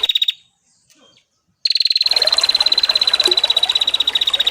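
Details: Prinia call used as a lure, layered over gurgling water: a brief fast trill of rapid identical ticking notes, a short pause, then a longer continuous rattling trill of evenly spaced high pulses.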